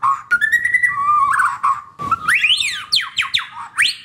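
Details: Caged White-rumped shama song meant to coax non-singing shamas: sustained whistles that step upward, then a burst of fast rising and falling sweeping notes, loud and varied.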